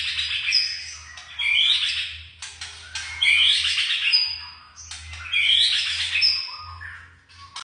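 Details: Young white-rumped shama giving three bursts of rich, squawky, varied phrases with thin high whistles, each burst about two seconds long and spaced by brief pauses, over a faint low hum.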